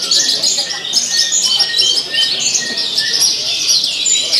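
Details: Competition recording of a Javan bush lark in full voice on the contest pole: continuous high twittering, rich in varied fill notes, with short level whistles repeated about every half second beneath the chatter.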